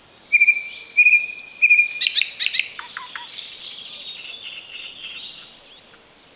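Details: Thrush nightingale close to a road in the Chornobyl Exclusion Zone, opening with three rapid rattling trills, then a burst of sharp clicks, dropping notes and high thin whistles.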